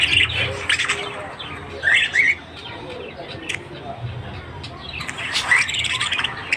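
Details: Australian budgerigars heard in the morning: scattered bursts of scratchy chirps and a pair of quick whistled notes, separated by quieter gaps with a low hum.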